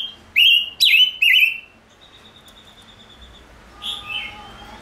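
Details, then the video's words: Gouldian finch song: three loud slurred whistles in quick succession, then a thin steady tone and a softer falling whistle. "Chim Ngũ Sắc Hót Hay"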